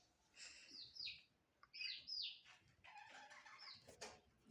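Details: Budgerigars chirping: quick, warbled high chirps that slur downward, in irregular bursts over a low background hum.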